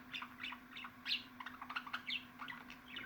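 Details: Budgerigar warbling for pet budgies: a run of short chirps and clicks about once a second, with a brighter squawk near the start, steady hum underneath.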